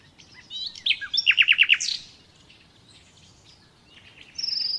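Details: A common nightingale sings a rich phrase: a few whistled notes, then a rapid rattle of five loud repeated notes, followed by softer twittering and a thin high whistle.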